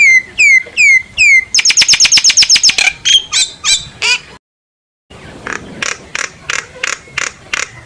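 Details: Common myna song used to call the flock: repeated downslurred whistles, then a rapid rattling series of clicks, harsh notes, a short silence, and regularly spaced buzzy bursts.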